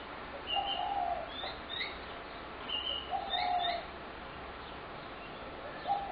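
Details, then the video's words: Spotted doves gathered to be fed in a Brooklyn Park backyard, November 2016: two clear bursts of low, wavering coos, each lasting under a second, with scattered high chirps and twitters between them. "Spotted Dove Backyard Noise Disaster"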